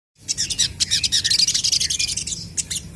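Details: Crested jay, several birds answering each other in lively song; dense bursts of high, buzzy chirps and rattling notes running almost continuously, ending in a few sharp separate chips.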